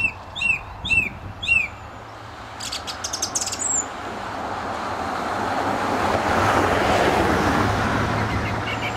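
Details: Song thrush singing near a gravel pit outside St Albans, England, May 2012: a short whistled phrase given three times in quick succession, then a brief high rattle, followed by rising background noise.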